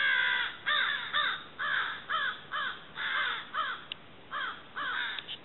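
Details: Crows calling in October: harsh, slightly downslurred caws repeated roughly twice a second, some spaced more widely, over a steady background hiss.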